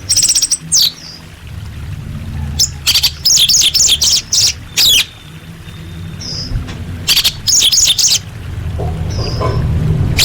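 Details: Female orange-headed thrush calls directed at males, serving to get silent birds singing: clusters of high buzzy chirps and twittering notes in quick groups, some thin drawn-out whistles between, over constant low hum.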